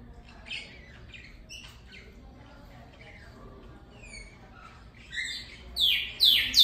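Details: Northern cardinal imitating a canary's song: scattered soft chirps and short rising notes, then a burst of loud descending whistled slurs in the final seconds.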